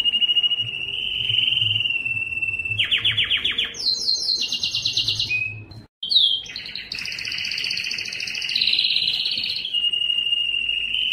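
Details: Singing yellow canary delivering a long sustained trilled tour, then fast rattling notes and high bright rolls, a short pause, and a warbled buzzy passage settling back into a steady trill.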